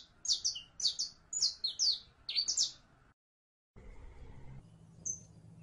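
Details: Saffron finch singing a quick run of bright, high chirps in short clustered bursts for about three seconds, then a brief break followed by quieter background noise with one faint thin note.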